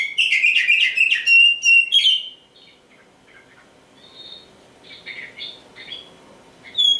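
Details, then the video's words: Oriental magpie-robin, a black-plumaged bird, sings clear whistled and warbled phrases for two seconds, then quieter scattered notes, ending with a sharp high whistle. "Nyanyian si "Kacer Hitam"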